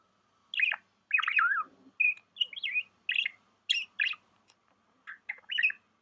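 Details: Budgerigar kept as a pet, chirping in a rapid series of short warbled notes, bouncy and slightly scratchy, with brief pauses between bursts and a faint steady low hum in the background.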